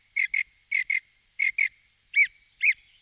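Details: Song thrush phrases: a doubled, slightly harsh note pair repeated three times, then two fuller, looping whistled notes. Brief, clear and isolated.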